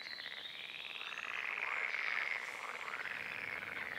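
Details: Red-necked grebe of a spring breeding pair that later fed hungry zebra-striped chicks; a sustained, nasal, pulsed braying call, swelling in the middle and rattling at roughly three beats a second, quieter toward the end.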